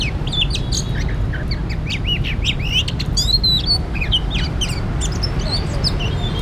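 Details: Oriental magpie-robin during bird trapping delivering varied whistled notes, downward slurs and scattered chips in uneven bursts, with low background rumble.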